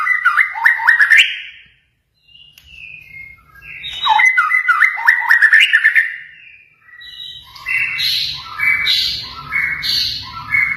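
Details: White-rumped shama song with mimicked cililin, canary, konin and katem phrases, used to train pet shamas: quick tumbling whistled phrases with rising and falling slides, a short pause, a repeat, then higher chirpy notes in rapid series.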